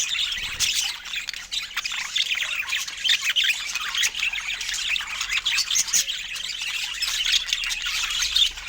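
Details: During fruit time, pet budgerigars keep up a lively, unbroken stream of squeaky warbles and harsh squawks, many short notes overlapping, with a few louder bursts.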